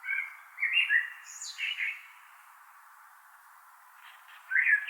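A blackbird sings a mellow, fluty warble that ends in a thin, high twitter, falls quiet for a couple of seconds, then starts another phrase.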